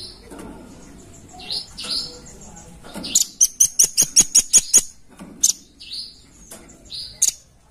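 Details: Red-billed blue magpie lure sound: soft whistled slurs open the recording, then a rapid chatter of about nine sharp harsh notes, followed by isolated rasps and more high whistles.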